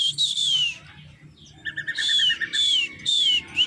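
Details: Drongo of the krantil type in full, frequent song: high, sweeping downward whistles repeated in bursts, broken by a fast chattering run of short clipped notes, with a faint low hum behind.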